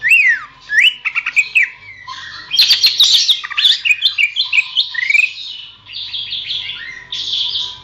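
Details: Greater green leafbird singing, a recording meant for training songbirds: a varied, fast medley of whistled slurs, rising and falling notes, and buzzy chatters delivered almost continuously.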